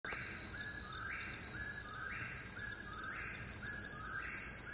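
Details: Eastern Whip-poor-will on a moonlit night in Pickett State Park, Tennessee, repeats its whistled three-part phrase ending in a sharp upward flip, about once a second, over a steady high insect trill.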